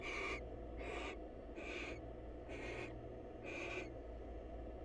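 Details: Greeting calls from a wild female barn owl calling on her male at a nest box: five rasping, breathy hisses about a second apart, each broad and noisy with a faint tonal squeal inside, steady low hum beneath.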